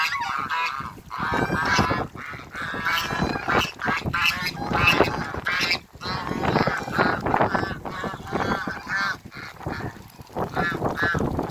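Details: A flock of Toulouse and African geese in a backyard honks almost continuously, a dense, raucous chorus of overlapping nasal calls with only brief pauses.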